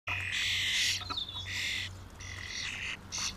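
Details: Small flock of common starlings, a family group drawn down to feed on mealworms: loud harsh broadband rasping squawks, each lasting up to a second, separated by brief pauses, with a thin whistled note between them and a low hum behind.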